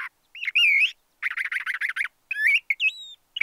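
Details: LeConte's thrasher giving a varied run of phrases: slurred rising whistles, then a rapid stutter of about a dozen short repeated notes, then more up-sliding whistled notes. The phrases are clear and close, with no other sounds.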